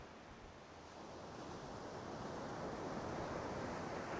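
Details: Breaking waves and wind rush swell steadily louder along the shore, with no bird or other animal heard.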